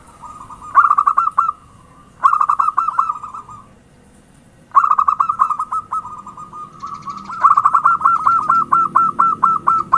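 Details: Zebra dove cooing played as a lure (pancingan): loud bursts of rapid, stuttering, purring notes with a rolling quality, separated by short pauses, the last phrase long and steadily repeated.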